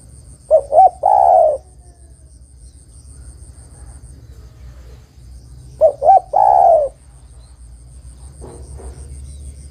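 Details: Lure recording of a female spotted dove calling a male: two phrases about five seconds apart, each a pair of brief coos leading into a longer descending coo; faint rustle near the end.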